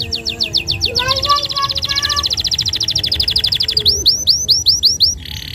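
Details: Canary song, described as a vigorous long-firing singer suited to train young canaries: fast rapid trills around high pitch, a buzzy rolling phrase, then a string of loud downward-swooping whistled notes.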